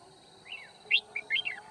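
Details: One short phrase from a red-whiskered bulbul decoy, recorded while trapping at Kim Bôi, 9 February 2019. A slurred rising note is followed by three quick, bright, bubbly whistles.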